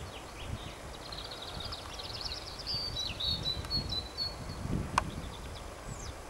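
A white wagtail gives quick, thin, high twittering chirps in a loose run, heard over a steady low rumble of wind or distant traffic.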